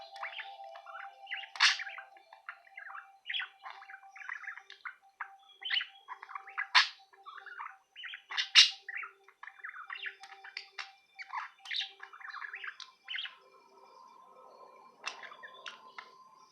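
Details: A male pet budgerigar talking to his reflection in a mirror chatters nonstop in a busy, scratchy warble of clicks, squeaks and gargled, speech-like phrases.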